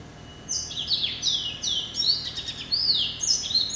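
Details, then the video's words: Captive male finch hybrid of yellow-eyed canary and Timbrado, hatched November 2012, begins after a brief quiet spell with rapid descending whistles and twittering slurred notes, repeated in lively high-pitched phrases. "Hybrid Finch ...Yelloweye & Timbrado"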